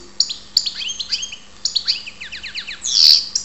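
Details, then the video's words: Karderina, the European goldfinch, at Ptolemaida, Greece, pours out quick liquid twitters: a run of sharp descending slurred notes repeated in rapid series, then a harsh buzzy burst near the end, with a faint constant hum below. "karderina Goldfinch"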